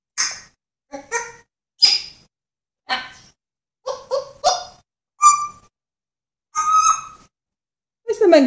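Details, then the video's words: African grey parrot mimicking other animals with a mix of squawks, short whistled notes and yelping, dog-like sounds, repeated at irregular intervals with brief pauses. "african grey making animal sounds"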